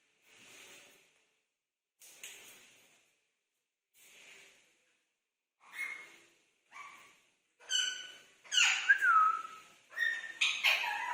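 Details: Indian ringneck parakeets, kept parrots, exchanging greetings with each other: soft breathy syllables at first, then louder speech-like phrases with whistled tones and a sliding whistle near the end.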